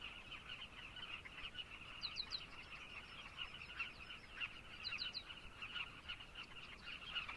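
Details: Many carmine bee-eaters calling together in Zambia, their rolling, overlapping notes forming a constant chorus; two short bursts of high, rapid triple chirps stand out midway and later.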